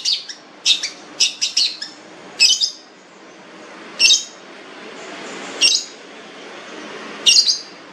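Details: Long-tailed shrike, described as fierce with a rich voice, delivering a quick cluster of scratchy high notes, then single harsh calls spaced about one and a half seconds apart.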